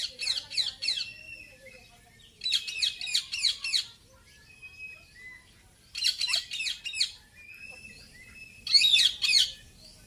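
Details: Indian ringneck parakeet, a talking parrot, giving harsh, high screeching calls in four bursts of rapid repeated notes, with short pauses and faint whistles between them.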